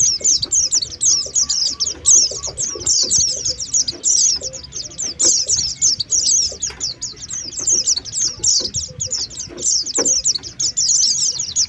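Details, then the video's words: Oriental white-eye calls played as a lure to bring birds down. A continuous stream of high, sharp twittering chirps runs almost without a break throughout. Scattered faint clicks and a soft low hum sit behind. "Suara pikat pleci | pikat pleci terbaru 2023 | langsung turun"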